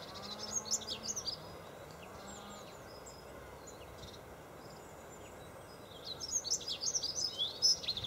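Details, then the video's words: Dunnock at Golden Hill Country Park, Freshwater, singing on 21 February 2012: a brief, high, scratchy warble opens the clip, then a quiet gap of several seconds, then a longer, louder tumbling phrase near the end. "Dunnock singing"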